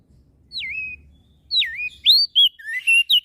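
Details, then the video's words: Javan grey-throated white-eye, a caged singing bird, in full voice and provoking other birds to sing; clear whistled notes sweeping down then levelling, followed by a quickening run of short rising and falling whistles. "Opior Jambul Gacor Suaranya Memancing emosi Langsung Burung Lain Ikut Bunyi"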